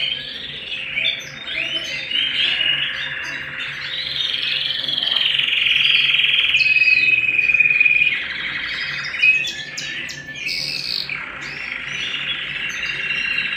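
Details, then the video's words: Domestic canary singing at home: a long, continuous run of rapid chirps, trills and warbled phrases, with a sustained rolling trill in the middle and a steady faint hum underneath. "canary bird - canary singing - canary sounds - canary singing at home"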